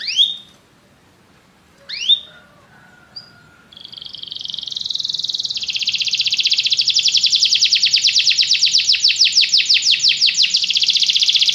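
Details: Canary singing: two sharp rising chirps and a short note, a pause, then a long rapid trill of repeated pulses that builds in loudness and continues steadily to the end.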